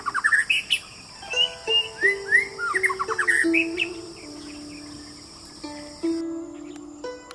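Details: White-rumped shama song: quick clusters of rising and falling whistled notes, rich and varied, fading after a few seconds, with steady low musical tones stepping through the background.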